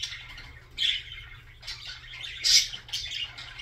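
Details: Short budgerigar warble: soft scratchy chatter rising into a couple of loud, harsh squeaky bursts, then settling back into quick chirping.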